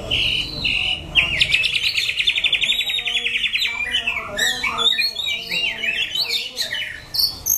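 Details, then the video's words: In Daklak, Vietnam, September 2015, a White-rumped shama opens with a clear whistle, breaks into a long fast buzzy trill, then continues with varied sharp chirps and slurred whistles. "Chòe lửa"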